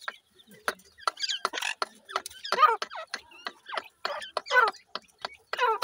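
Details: Grey francolin chicks calling: a run of short, squeaky chirps and twittering notes in quick bursts, some rising and falling, repeated irregularly about every two seconds, with quiet gaps between.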